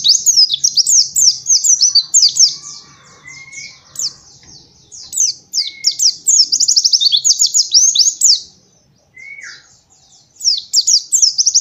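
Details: A white-eye, used as a training lure to get young white-eyes singing, pours out a fast, high twittering song of quick rising and falling chirps, almost without pause, over a few soft whistles and a low hum.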